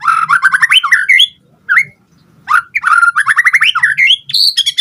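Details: White-rumped shama, song played to make other birds respond: rapid runs of rising whistled notes, a short pause, then more quick climbing series ending in a high whistle.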